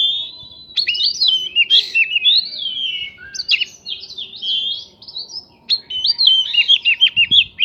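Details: White-rumped shama song filled with mimicked prinia notes, meant to get other birds answering: long sweeping whistles and rolling phrases broken by brief gaps, ending in quick repeated chips, over a low background hum.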